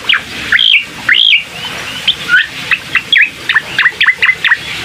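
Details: Bar-winged prinia singing, used to encourage a reluctant bird to sing: a few drawn-out arching whistles, then quicker, sharp high chirps in a tightening sequence.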